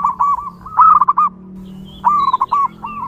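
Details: Local wild zebra dove in lively song, used to lure other zebra doves: repeated phrases of quick, clipped cooing notes separated by short gaps, over a faint low hum.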